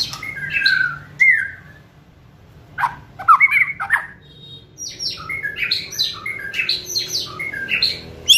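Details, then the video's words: White-rumped shama song meant to provoke and speed up singing: whistled slurs and sharp notes separated by pauses, then a rapid run of varied high chirps and trills. "Kretekan Gahar MURAI BATU GACOR ini untuk memancing Emosi dan mempercepat Ngeplong"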